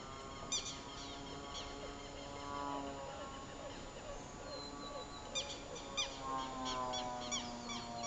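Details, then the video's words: Double-striped thick-knees, a family defending their nests and young from a black vulture at Humedal la Conejera wetland in Bogotá, give harsh, nasal, drawn-out cries over and over, with sharp clicking notes in bursts and a low steady hum underneath. "Alcaraván vs gallinazo"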